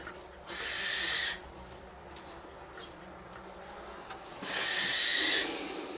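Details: Nestling Eurasian wrens at the entrance of a moulting mews as the mother feeds them; two long, rough hissing bursts roughly four seconds apart, with faint rustling in between.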